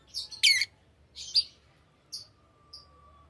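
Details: Pet lovebirds, tame birds, chirping: short harsh broadband chirps and squeaky notes in scattered bursts, some paired, with quiet gaps between and a faint steady hum underneath.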